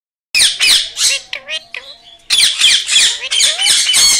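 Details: Pet blue ringneck parrot giving loud, harsh screeching squawks in rapid bursts, about a dozen in all, with a brief stretch of softer chattering, squeaky notes in the middle.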